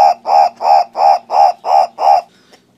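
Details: Green turaco (Tauraco persa): seven loud, hoarse, croaking notes of even length, delivered every third of a second in a steady series that then stops abruptly, with a faint low hum in the background.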